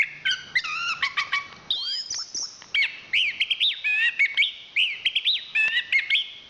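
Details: Champion chestnut-capped thrush pouring out a varied song: a stuttered opening of repeated notes, a rising sweep, then a run of wavering whistled phrases in quick sequence.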